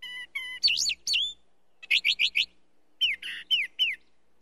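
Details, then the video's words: Brown thrasher song: paired steady whistles, then twin rising-falling slurs, a set of four quick chirps, then a run of falling whistled notes, phrases mostly repeated, clean and high-pitched. "Brown Thrasher Song"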